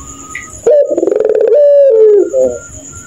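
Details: Puter pelung dove at night, called a laughing kuntilanak voice: after soft background hum, one loud phrase of rapid rattling pulses that smooths into a long level coo and slides down, then a short softer tag.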